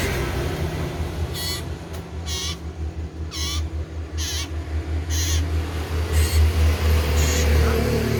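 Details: Common iora giving loud, repeated, rasping notes with layered overtones, about two per second, partly masked by a throbbing low-frequency hum that swells near the end.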